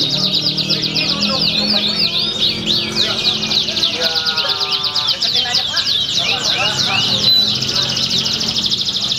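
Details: A canary named Baday at a songbird contest in Pringsewu on 22 September 2019, which earned a winner's nomination despite a below-par performance. It sings a fast, unbroken stream of high chirps and rolling trills, with a lower rattling trill midway, over faint voices and other birds.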